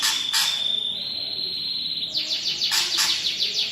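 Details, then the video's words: Caged greater green leafbird singing vigorously in a rich mimicked 'isian' style: a long steady high whistle, then a rapid run of bright descending chirped notes. "CUCAK IJO GACOR ISIAN MEWAH"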